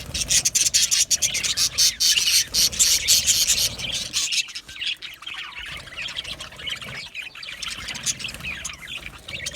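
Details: Budgerigars chirping, a sound the description links to contentment or communicating with each other. Dense, continuous high-pitched chatter and squawky chirps, apparently from several birds, are busiest in the first three seconds, then thin into scattered, rapid chirps.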